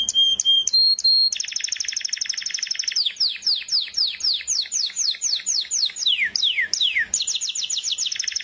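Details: Canary singing short high whistles, a fast even trill, a long series of sharp downward-sweeping notes about four per second, and a closing rapid trill.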